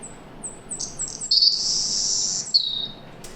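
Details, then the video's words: Male Savannah Sparrow song from a Bay of Fundy study population: several short, very high introductory chips, then a long buzzy section ending in a lower buzz; each male sings one unchanging song. "And uh here, let me start by playing the song of the Savannah Sparrow for you."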